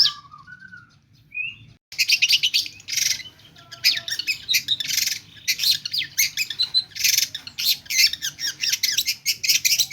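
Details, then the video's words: Long-tailed shrike (cendet) delivering song full of imitated phrases. It opens with a few soft, thin whistles, then breaks into a dense, loud stream of scratchy chatter, sharp chips and quick trills. "Cendet gacor ll pentet motor GP nembak full isian lasrol"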